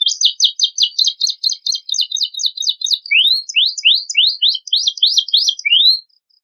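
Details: Canary singing a richly ornamented song used as a lure to make young untrained birds sing. A fast, rattling trill of high notes shifts to a slower row of sweeping rising slurs about two per second, then stops.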